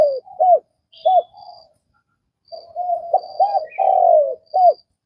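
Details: Vietnamese spotted dove cooing: clipped arched hoots, a pause, then a phrase of soft notes swelling into a long falling coo and a final short hoot, with thin distant chirps overhead.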